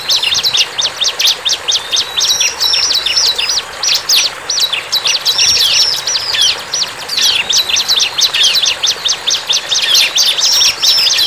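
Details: Bar-winged prinia in nature, singing energetically: long runs of fast, scratchy high chirps broken by short pauses, the phrases repeating in a lively, rattling pattern throughout.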